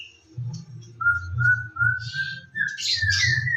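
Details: White-rumped shama song in the morning, used as a lure to get birds singing actively: clear whistled notes held level, then sliding higher into buzzy, rasping bursts near the end, over a steady low rumbling hum.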